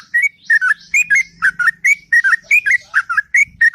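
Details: Morning song of a sooty-headed bulbul, a rapid chain of liquid whistled notes over a faint low hum in the background.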